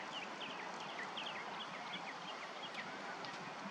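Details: Female osprey at its nest on 15 April 2021, giving a loose series of short, faint whistled chirps that bend slightly downward, spaced irregularly over a steady background hiss.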